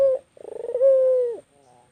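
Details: Single phrase from a white Barbary dove: a brief clear note, a quick series of throbbing pulses, then a smooth drawn-out coo that dips at the finish.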